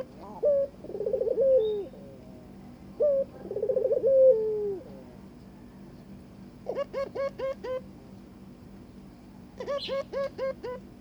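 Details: A Barbary dove calls to court its mate. Two rolling, tremulous coos each end in a long, falling note, followed by two rapid bursts of six or seven short, upward-hooked notes.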